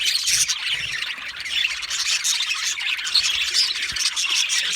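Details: Aviary flock of Australian budgie parrots chattering nonstop, a thick wash of shrill chirps and squeaky squawks with no pause.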